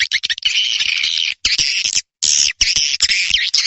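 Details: Swiftlet lure sound for the 2023 new year: dense bursts of buzzy, rasping chirps, loud and high, broken by short silences around 1.4 and 2.1 seconds.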